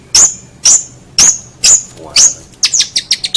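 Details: Long-tailed shrike master recording for tutoring songbirds: a series of sharp, high whistled notes with a downward sweep, spaced about half a second apart, ending in quick rapid chattering chips.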